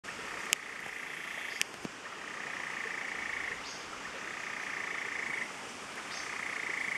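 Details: Endemic Stiles's tapaculo at La Romera, Central Andes near Medellín, Colombia, gives long, even runs of rapid, steady notes at one mid-high pitch, each a second or more, with a few sharp clicks at the start.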